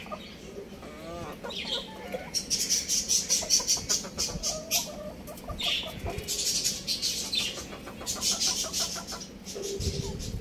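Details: Young roosters and chicks at play at home give a busy jumble of rapid harmonic clucks and chirps. They come in bursts several times a second, with a higher wavering note early on.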